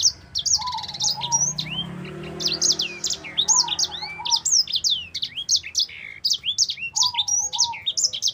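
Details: Tutor recording of a vigorously singing sanger, the black-throated canary: continuous cascade of high, rapid chirps and downward-curving whistles, with a quieter wavering mid-pitched whistle recurring about every three seconds.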